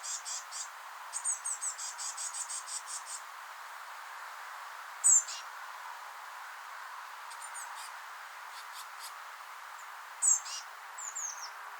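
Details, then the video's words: Eurasian blue tit fledglings just leaving their nest in a rowan give thin, very high chirps in quick bursts, with sharper down-slurred notes, while being fed; soft background hiss. "Chicks have left the nest, chirping sounds"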